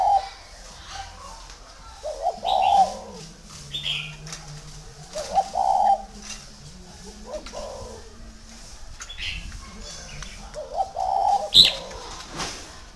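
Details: Spotted dove at a bird garden in Ba Vì district, Vietnam, giving four measured cooing phrases about three seconds apart, each a short broken start and a soft rounded coo, amid scattered higher chirps and faint knocks.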